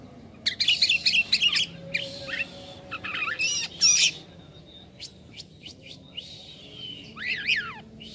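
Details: Jalak kapas starling singing gacor. Clusters of scratchy, squeaky chatter come with pauses, then a pair of quick rising-and-falling whistled notes near the end.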